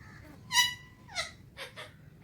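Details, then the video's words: Alexandrine parakeet kept as a talking pet, enjoying the morning: a long level whistled note, then a falling harsh call and two short rasping notes, indoors. "alexandrine parrot enjoying morning time"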